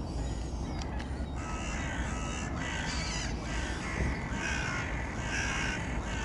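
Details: Piping calls of Eurasian oystercatchers, several sharp, high notes scattered through the stretch, some overlapping, against constant low-pitched rumbling background noise.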